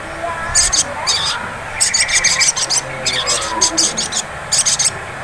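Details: Ngleper-style song of a sunbird, or sogon, used as a lure to trigger singing. Closely spaced bursts of high, rattling, buzzy trills follow one another almost continuously. A faint hiss lies underneath.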